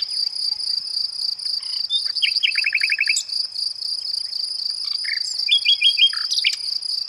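A nightingale sings short varied phrases, including a fast rattle of about eight repeated notes, over a steady high-pitched drone of insects.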